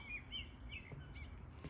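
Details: Small noisy birds calling near a rural walking path, a few brief high chirps and short thin notes scattered through the moment over a steady low outdoor rumble.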